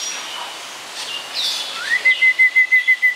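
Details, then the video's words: Captive snowy-crowned robin-chat at Chester Zoo, an East and West African species, singing. Soft warbled notes lead into a rising whistle, then a steady run of about eight even, piping notes on one pitch. "Snowy Crowned Robin-Chat Singing"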